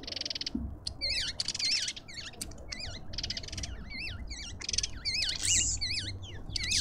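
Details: Lovebirds at a garden feeder in a suburban garden in Pretoria, South Africa, giving a continuous shrill chatter: wavy, squeaky whistled notes mixed with rapid buzzy, rasping bursts, several birds overlapping with almost no pauses, over a low background rumble.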